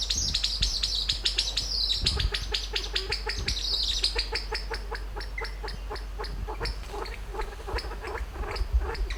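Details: Kalij Pheasant climbing a tree at dusk to roost for the night in a western Himalayan sanctuary. Rapid dry clicks repeat about three times per second in a loose trill, with high chirps above and Maroon Orioles calling nearby.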